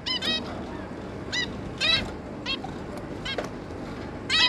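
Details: Family of zebra finches, two parents and three juveniles, 11 May 2022, trading bright honking beeps in small bursts, a few doubled notes, with a low background hum throughout.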